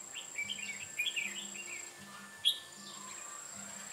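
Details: Trapping decoy red-whiskered bulbul, 8 October 2017: a quick tumbling phrase of warbled chirps, then one sharp loud note, over a pulsing low hum and high steady tone.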